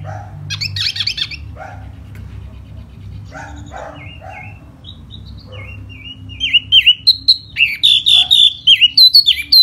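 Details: A springtime silver-eared laughingthrush singing hót xoè. Scattered harsh chattering and a few soft whistles build to a loud closing stretch of rapid, bright whistled notes that dip and rise, roughly three per second.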